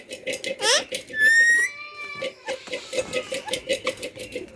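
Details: Talking parrot giving a rapid, rhythmic series of short speech-like or laugh-like pulses, broken by a bright rising whistle and a sustained tone.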